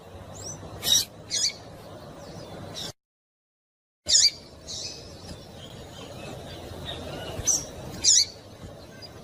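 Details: Female double-collared seedeater calling to excite males, as used by breeders preparing singing birds for tournaments; short high sharp chirps and brief buzzy notes come at irregular intervals over quiet background hiss, with a silent gap midway.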